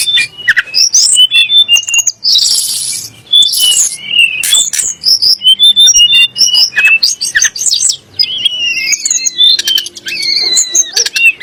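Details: Sunda blue robin (tledek gunung) song intended to provoke kacer and muri into singing. Long, dense run of chirps, whistles and a noisy burst, ending in rising and falling warbled slurs.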